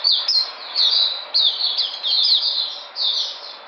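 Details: White-eye song from 13 February 2020 as the bird recovers its energy: clustered high chirps and slurred whistles in rapid uneven bursts.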